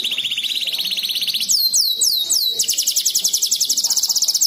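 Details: Canary singing a complex 'ruwet' song, used as a tutor recording for songbirds: a thin high trill gives way to looping downward-sweeping whistles, then a long, fast, even buzzy roll held high to the end.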